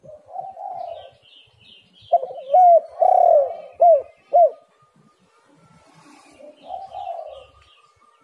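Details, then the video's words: Spotted dove cooing, recorded as a lure to make doves call: a soft opening phrase, then a loud rhythmic run of four or five bouncing coos. Quieter cooing follows, with faint higher chirps in the background. "tekukur super gacor"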